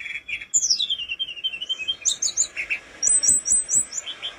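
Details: Mountain flowerpecker song recorded for training other birds: a high descending whistle sliding downward, then scattered chips and a quick series of four very high ticking notes.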